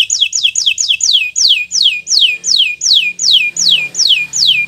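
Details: Bottle-green local canary song meant as a tutor for young birds learning to sing: a series of about a dozen loud, high downward-sweeping notes repeated roughly three times a second.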